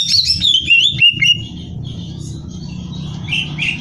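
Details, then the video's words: Greater green leafbird in full, nonstop song used as competition training material: sweet, fluid whistled phrases sliding downward, then quieter trills, all over a constant low background hum. "Cucak Hijau Gacor Hiper Ampuh Buat Bahan Lomba"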